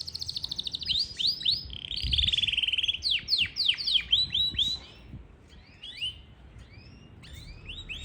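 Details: A Yorkshire canary in Parachinar sings a fast, high run of trills and rising-falling whistled notes, about four per second, fading into softer scattered chirps near the end.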